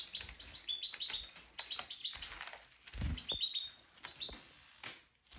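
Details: Caged Red Factor Canaries, two adult pairs with their spring 2023 young, molt nearly complete, just after cage cleaning and fresh seed: quick high chirped notes in repeated bursts, with soft rustling and seed-pecking clicks between phrases.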